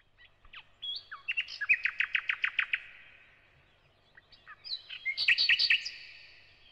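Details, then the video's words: Thrush nightingale singing: two phrases separated by a pause, each built from sharp clicks and whistled notes leading into rapid series of repeated loud, rattling notes, about eight in the first burst. "Nightingale (Luscinia luscinia)"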